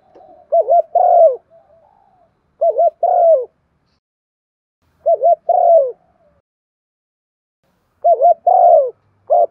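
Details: Urging coo of a spotted dove, used to rouse other doves to coo quickly; four low hooting phrases, each a brief trilled double note then a longer falling coo, with irregular pauses and a fresh phrase starting at the end.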